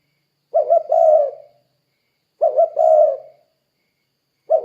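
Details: Spotted dove calling to lure derkuku doves into song: deep, mellow phrases of two quick clipped notes then a drawn-out coo, repeated at a slow, even pace in quiet surroundings.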